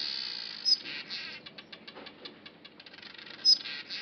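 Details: Masked weaver at Huab Lodge, Namibia, building a nest: rapid ticking, rattling pulses inside a wheezy high buzz, with two brief sharp accented notes near the start and end.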